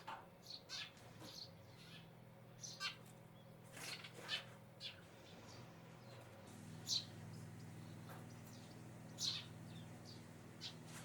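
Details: Eurasian tree sparrows give short, sharp chirps at irregular intervals a few seconds apart over a steady low mechanical hum.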